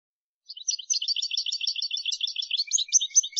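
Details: European goldfinch song recorded for teaching young birds to sing: a dense, fast run of high, bright twittering notes and short chirps, closely packed and continuing without pause after a brief silence, against a clean, quiet background.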